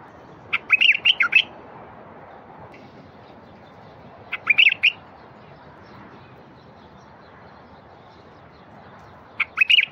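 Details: Bulbul song, played to prompt silent wild bulbuls into singing: short bubbly phrases of four to five liquid, warbled notes, given roughly every four seconds with quiet gaps between, over a faint steady background hiss.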